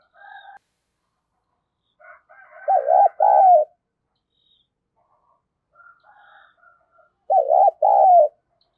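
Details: Female spotted dove calling to excite males utters two wavering-then-sustained coo phrases about five seconds apart, over faint murmuring calls of other birds in the background.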